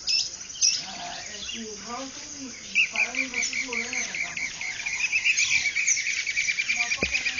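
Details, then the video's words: Dawn bird chorus on a ranch at Ciudad de Nutrias, Barinas, Venezuelan plains, February 2009; low rising-falling nasal notes repeat in a string while sharp high chirps pulse rapidly behind, growing busier toward the end. "Canto de aves en un Amanecer en Barinas: Él llano Venezolano"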